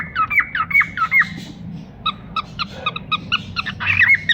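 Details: Pair of caged cockatiels calling: a run of clear whistled notes that rise and fall, three in quick succession, followed by rapid, short, chirpy squawks repeated about twice a second, then a final whistle.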